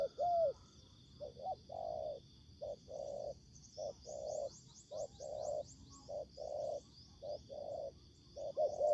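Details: Spotted dove calls during ground trapping as the decoy meets wild birds: many overlapping soft coos in quick succession, with rapid high chirping of other birds in the background.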